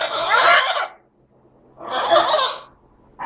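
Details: Green-winged macaw pair, both about 12 years old, in breeding mode after laying three eggs this summer; two loud harsh raspy squawks about a second long, separated by a quiet gap, with a third starting at the end.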